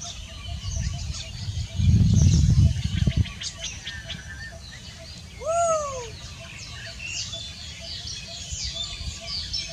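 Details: African grey parrot recorded on 12 January 2020 gives a single clear arching whistle, rising then dropping, after an early burst of loud low rustling; otherwise fairly quiet with faint background noise.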